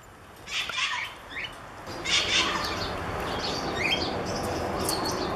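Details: Rose-ringed parakeet in a parrot enclosure at a wildlife reserve near Riyadh, Saudi Arabia, close to sunset, giving harsh, screechy whistles in short bursts, some rising sharply, over a steady background hiss.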